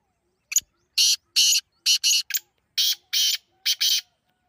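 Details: Partridge giving a loud series of harsh, scratchy notes, about nine in all, some paired close together and others spaced roughly half a second apart. The notes are rough and broadband, and the background is silent.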